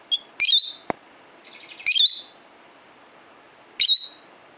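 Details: A pet peach-faced lovebird, 12 years old and male, responds to other lovebirds played to him with loud, harsh, shrill chirps. A short chattering burst comes between them, and one sharp click is heard.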